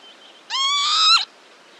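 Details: A pair of Northern lapwings giving an alarm call to their young: one drawn-out, wheezy, nasal call that rises slightly and then drops sharply at the end, lasting under a second.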